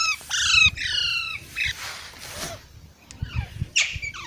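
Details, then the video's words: Parrot chicks uttering loud, grating, drawn-out squawks that drop in pitch, then a hissy pause and more broken calls, with low thuds underneath. "Baby Parrots Sounds"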